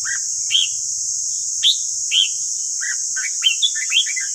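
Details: Red-whiskered bulbul song used for voice training: bright, slurred whistled notes, some rising then falling, coming in quick irregular bursts, then a tumbling warbled phrase near the end, with steady background hiss.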